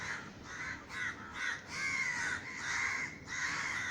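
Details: Crows over a garden in Sri Lanka after a gunshot meant to scare them off, calling loudly with long, grating caws, some drawn out and slightly falling, in close overlapping series.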